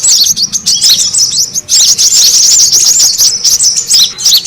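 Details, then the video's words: Noisy brown-throated sunbird calling used as a bird lure: rapid high-pitched chirps and sharp slurred notes crowd together, with a brief break near the middle before the busy twittering resumes. "SUARA PIKAT KORLAP RIBUT AMPUH BURUNG SEKEBON AUTO NGUMPUL"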